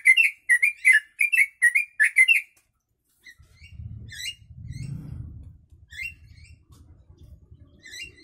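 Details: Yellow-vented bulbul giving kutilang-style phrases as tutor song for birds: about two and a half seconds of fast, regular bubbly chirps, then silence and low thumping handling noise with scattered softer notes.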